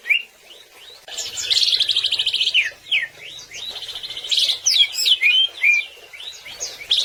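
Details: Greater green leafbird singing for training songbirds: harsh buzzy trilled phrases mixed with sweeping whistles and quick rising and falling notes in a varied, busy stream.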